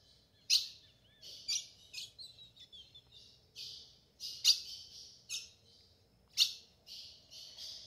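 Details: A female ultramarine grosbeak calling in the sertão to prompt a male to sing; irregular sharp chips and shorter softer buzzy notes follow one another, some close together, others spaced by about a second.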